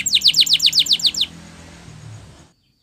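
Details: Canary; training song; song used to train canaries to sing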